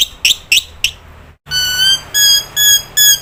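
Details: Black-winged starling in a prompting recording meant to make other starlings call: three sharp chirps, then a sustained, harsh, harmonic-rich call repeated in four long bursts about half a second apart.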